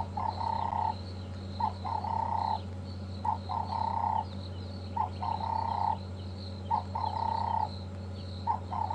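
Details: Two Cape turtle doves perched right above a safari vehicle near a leopard on 14 January 2015 coo a hoarse, rhythmic phrase of a short note and a longer one, repeated about every second and a half, over a steady engine hum.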